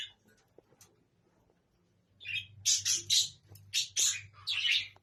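Budgerigars give harsh, scratchy chattering calls in quick irregular bursts, with a low hum behind.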